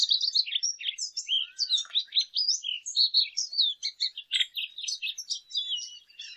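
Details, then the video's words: Continuous rapid warbling of a lesser goldfinch, a dense stream of high chirps, trills and slurred notes with barely a break. "Jilguero Aliblanco Canto - Lesser Goldfinch Song - Lesser Goldfinch Call"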